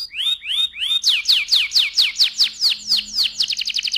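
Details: Canary song used to excite the male and prepare the female for breeding: three rising whistled slurs, then a run of loud descending sweeps, ending in a fast buzzy trill of rapid repeated notes.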